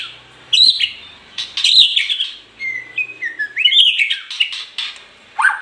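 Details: Song of a white-rumped shama: bursts of rich, fluting whistles with sharp clicks and swooping slurs, phrases every second or two, some falling notes and a final downward whistle, clear with no background noise.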